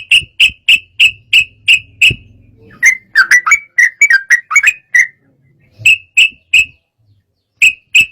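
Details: Agitated sooty-headed bulbul song meant to set off rival birds; evenly spaced clear whistled notes about three per second, a jumbled chattering middle section, then more spaced whistles, faint low hum early on.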